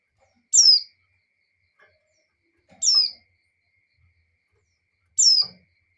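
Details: A female white-eye in breeding condition calls the male with three thin, high notes that slide downward, evenly spaced, with a few soft clicks between them.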